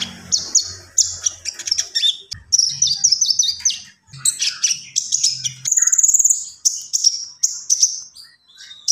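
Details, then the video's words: Common iora singing energetically through a continuous stream of high whistles, rapid chips and short trills, with a higher shrill whistle partway through and a low steady hum in the background. "SUARA BURUNG KONIN GACOR"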